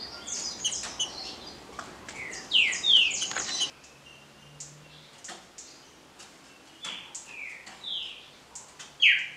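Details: Green-winged saltator, Paraná liso batido song type. Quieter, busier passage with overlapping chirps and a few clear descending whistled slurs, separated by gaps with faint background clicks.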